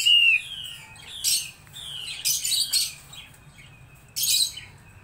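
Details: Laughingthrush song: clear whistled notes sliding down, then bursts of loud high chirps, with short quiet gaps between phrases.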